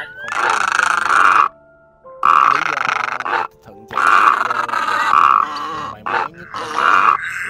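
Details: Egret calls played as a lure to draw migrating birds into nets at night: long harsh, rasping croaks of about a second each, separated by short gaps, with faint thin whistled notes in the background.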